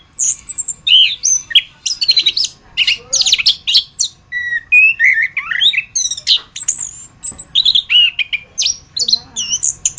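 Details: Anis kembang (orange-headed thrush) masteran recording: a rich, fast medley of high chirps, buzzy notes and descending slurred whistles running without break.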